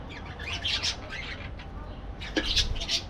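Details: Short exchange of parakeet chirps and scratchy squawks: a flurry at the start, a brief lull, then another sharp burst near the end over a low background rumble.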